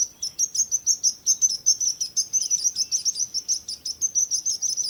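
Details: Fast, regular series of piercing high chirps, roughly four each second, from birds singing, with one soft lower swooping note in the middle.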